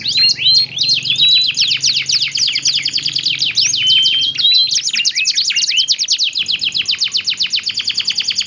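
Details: Two singing canaries trade phrases, used to encourage silent canaries or young birds to start singing; busy high trills, sweeping whistles and a long buzzy rattle, loud and continuous throughout.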